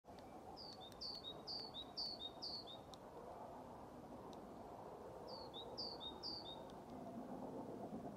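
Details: Great tit singing at Lindgården retirement home in Haga on 21 February 2023, practising hard: bright two-note teacher phrases, high then lower, five in a quick run, a pause, then three more, over steady low rumble.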